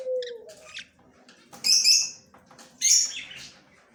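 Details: Budgerigar, yellow male, recorded October 9, 2024: after a low smooth tone at the start, two loud buzzy chirp bursts about a second apart, with soft scratchy chatter between.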